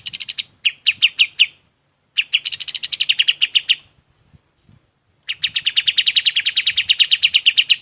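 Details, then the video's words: Golden-bellied gerygone song used for training other birds: a few separate piercing high notes, then longer fast runs of rapid, bright notes repeated several times a second, in otherwise quiet surroundings. "SUARA KAPAS TEMBAK"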